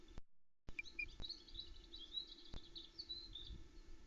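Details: At a Loch Arkaig osprey nest in Scotland around 08:33 on 27 May 2020, short, high whistled osprey chirps are scattered irregularly against steady low wind rumble, as a male brings a log and the incubating female keeps talking to him.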